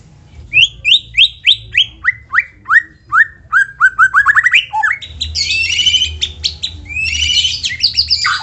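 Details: White-rumped shama singing, meant to stir other shamas into song. A series of loud downslurred whistles repeats about three times a second and speeds up, then breaks into harsh, high scratchy chatter.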